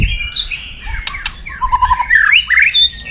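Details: White-rumped shama in aggressive crackling song to provoke an opponent: whistled slurs, two sharp clicks, a brief buzzy rattle, then rising whistled notes.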